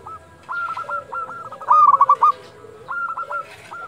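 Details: Local zebra dove calling at dusk: groups of short clipped cooing notes, then a louder rapid staccato run in the middle, followed by more short grouped notes, over a faint background hum.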